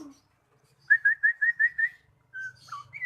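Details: Magpie-robin lure song, played to get a bird that has stopped singing to become a lively, frequent singer: six quick, evenly spaced whistled notes over about a second, a short pause, then longer clear whistles, some falling in pitch.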